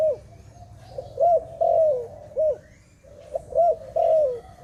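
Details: Two matching phrases from a dove, each a brief clipped coo, a trilled arched note and a long vibrating coo that glides downward, separated by a short pause; quiet low background noise.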